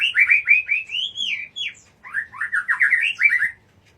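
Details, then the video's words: White-rumped shama singing loudly and continuously: fast, rich, slurred warbles and whistled notes in two rolling phrases separated by a brief pause. "Suara murai batu"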